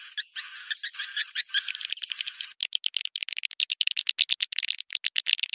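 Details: Edible-nest swiftlet lure sound for the rainy-season breeding period: a loud buzzy chattering opening, then a clipped series of rapid high chirps repeated several times per second.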